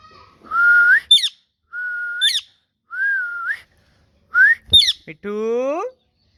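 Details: Green ringneck parakeet whistling: four level whistles that each lift at the end, each followed by a high squeak, then a final nasal, voice-like tone.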